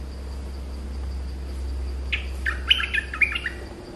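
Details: After two quiet seconds of low background hum, a Streak-eared bulbul bursts into a rapid run of chirpy, warbled notes, rising and dipping, lasting about a second and a half.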